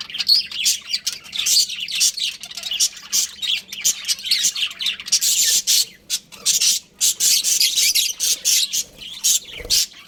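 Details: Budgies of a breeding pair and their family chattering indoors: sustained high chirps and squawks in long dense runs, brief gaps, steady busy twittering for ten seconds.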